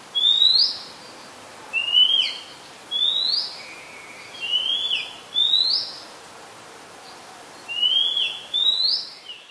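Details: ['Song of a very common resident Oriental magpie-robin, recorded 2 July 2022 in Ubon Ratchathani, Thailand: a steady series of bright, upslurred whistled notes with twangy tails, given about once a second, clean and unaccompanied.']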